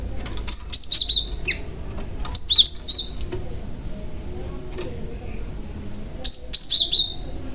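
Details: Young male Cinereous Tit calling as a lure for other tits: three phrases of bright chirps, each a few quick notes stepping downward, the last after a longer gap.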